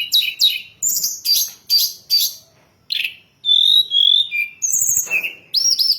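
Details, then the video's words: Hill blue flycatcher lure song for bird training: a string of loud, separate chattering bursts, then long clear high whistles and a quick, rising twitter. "Masteran dan Pancingan burung Tledekan gunung paling ampuh dan fenomenal"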